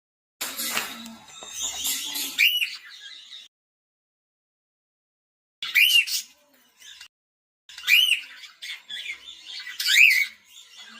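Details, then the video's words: Male cockatiel giving loud harsh squawking calls, a rasping burst at the start, then repeated rising-falling whistled screeches about every two seconds, separated by silence. "male cocktails sound"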